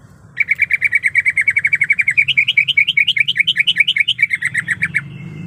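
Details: Calling female greater green leafbird in heat, seeking a male. A quick, even burst of bright chirps speeds into a rolling sequence of rising and falling whistled notes, then slows and fades. A steady low background hum runs throughout.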